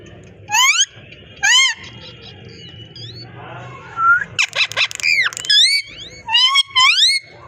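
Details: Talking parrot giving loud harmonic squawks with upward-curving tones, a soft whistle, then a dense burst of sharp chirps and rising calls in quick succession, a low hum in the background.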